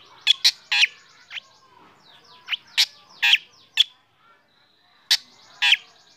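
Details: Morning song from a black drongo being sunned, said to make other birds sing; repeated loud harsh chips with buzzy rasps and faint trilling between.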